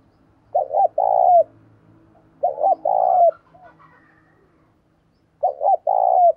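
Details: Lure spotted dove giving its vigorous calling coo to draw wild birds: three loud phrases, each a quick double hoot followed by a long low purring coo, separated by pauses of roughly two seconds with faint murmurs between.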